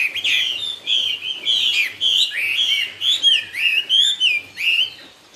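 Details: Cao cầu song from a Chinese hwamei: loud, mellow whistled phrases in pulsing bursts, each sliding up or down, delivered almost continuously with brief gaps between phrases.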